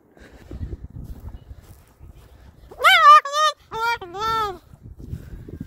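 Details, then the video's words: Pet Moluccan cockatoo on a walk to the park, chattering with people it meets; loud harmonic squawked syllables, two longer rising-falling notes then two shorter ones, with a person speaking softly before and after. "Max is Feeling Talkative at the Park"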